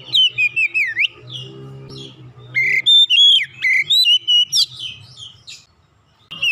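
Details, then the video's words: Kacer, the Oriental magpie-robin, roused by one lure from silence into gacor song: rapid twisting whistles and short clipped notes in clustered bursts, with a low steady hum under a middle pause. "Kacer macet bunyi sekali pancing langsung semangat bunyi gacor"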